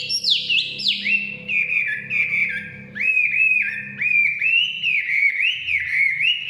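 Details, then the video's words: In the forest a Chinese hwamei opens with high descending whistles, then settles into a steady series of warbled, looping whistled phrases, over a constant low droning hum. "Nikmatnya kicauan wambi/huamei hutan"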